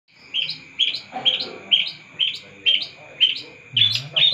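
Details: Long-tailed shrike singing intensely: a run of about nine bright, chirpy notes, each with a short rising upper flourish, spaced roughly half a second apart. A steady thin tone hums underneath throughout.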